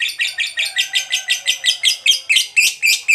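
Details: Lovebird chattering ngekek style to provoke rival lovebirds: a regular series of loud, harsh, high squeaky notes, roughly four per second, each slightly rising, the last few sharper.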